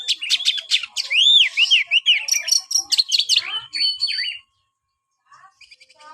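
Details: White-rumped shama pours out rapid clicks and looping, arched whistles, then a stuttering series of repeated notes before falling silent and resuming faintly.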